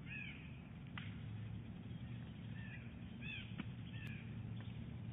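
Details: Female bald eagle calling early at the nest while rolling eggs, Big Bear Lake, January 2018: faint, thin, downslurred chirps repeated at irregular intervals, with a few sharp clicks, over heavy low rumbling noise.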